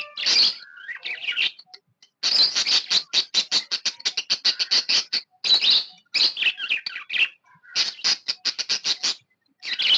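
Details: Happy pet budgerigar in lively chatter, long rapid trains of clipped, scratchy ticks and buzzes with occasional squeaky warbled notes, pausing only briefly between bouts.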